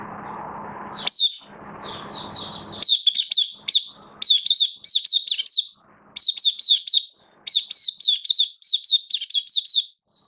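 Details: Caged oriental white-eye in open song, 11 September 2022, form dipped a little: after a low hum with a rustle, a long run of high, clear, rapidly slurred warbling notes in grouped bursts with short pauses.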